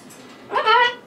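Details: Young male pet cockatoo, about four years old, kept indoors and getting ready for bed. It gives a short, voice-like harmonic utterance of about half a second in a quiet room.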